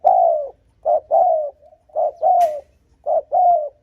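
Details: Spotted dove cooing to lure and provoke rival males: loud, close phrases of hollow low coos, a short note then a longer downslurred one, repeated three times with brief pauses.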